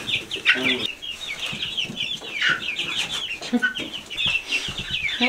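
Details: Chickens on an off-grid cabin property in Alaska during spring snowmelt give a busy stream of short, high, chirping peeps, many overlapping and repeated quickly, with people talking softly in between.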